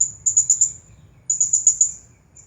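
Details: Two quick bursts of shrill, very high stuttering chirps, each of four to five pulses, from a champion Blue-crowned hanging parrot singing in the 'Nagih Hutang' style; low hum in the background.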